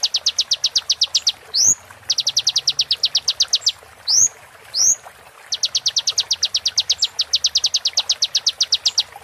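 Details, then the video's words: Sunbird known locally as kolibri ninja, in a masteran track for moulting birds: long runs of rapid, sharp, high repeated notes broken by quick upward-sweeping whistles, a roll tembak pattern repeated three times. "MASTERAN KONIN FULL ISIAN ROLL TEMBAK PART 2"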